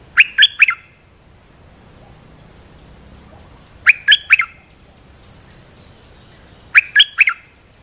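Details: Olive-winged bulbul call used for training young birds and luring wild birds: three short bursts of three to four bright, bubbly notes, repeated about every three seconds.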